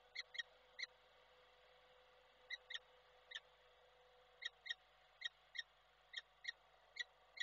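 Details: Nest-camera recording from Koszalin, Poland, 12 December 2023: a male peregrine falcon calling for the female, who arrived as he left. Fainter, shrill notes in loose bursts separated by pauses, with low background hum.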